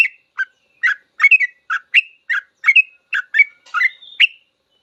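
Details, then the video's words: Sooty-headed bulbul, cage bird, singing a full long song used as a master recording to teach young birds: a series of short bubbly whistled notes about twice per second, ending in a clearer rising whistle, quiet background. "Suara trucukan full ropel panjang cocok buat masteran trucuk belajar bunyi langsung ikut ropel"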